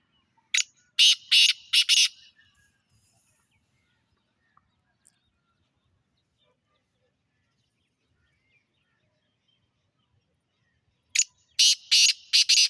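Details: Black francolin described as a good breed: a harsh, grating phrase of four rapid scratchy notes, then about nine seconds of near silence before the same burst of four notes repeats. The background is quiet.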